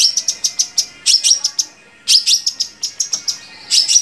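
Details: Song of a long-tailed shrike, used to get captive shrikes singing: high, clipped notes in quick clusters, with short whistled tones between bursts and brief gaps.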